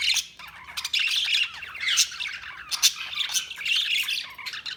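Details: Chirping budgerigars in a dense, nonstop chorus of scratchy warbles, squeaky chirps and abrupt squawks, the flock's chatter swelling and dipping throughout.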